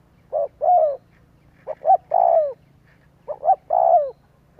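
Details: Cooing of a spotted dove played as a lure to stir doves into calling; three phrases, each two quick soft notes then a drawn-out descending coo, with a steady low hum behind.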